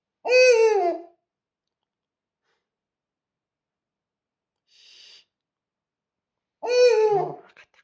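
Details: Pet owl calling at a Rilakkuma plush toy indoors: two loud, raspy, rich-toned calls about six seconds apart that drop slightly in pitch. A faint soft hiss comes between them.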